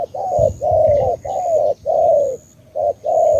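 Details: 'Tú' style cooing of a spotted dove from Cà Mau, Vietnam: a string of full, mellow, drawn-out coos, each gently falling in pitch, separated by brief gaps, loud and close.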